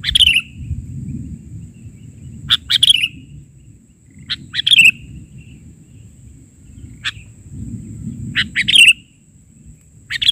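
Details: Active sooty-headed bulbul, 'bahari' version, delivering a series of brief bubbly phrases with falling slurred endings and scattered single notes, spaced irregularly over a soft low-frequency hum.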